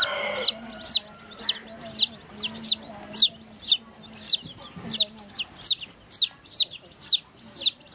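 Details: Baby chicks drinking water call with crisp, high, downslurred peeps repeated almost twice a second in a fairly steady series, over a soft, low hum.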